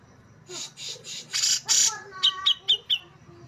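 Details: A series of harsh, hissing rasps (besetan) from a male Brown-cheeked Bulbul kept as a contest songbird, followed by four short, sharp notes; a low hum runs underneath.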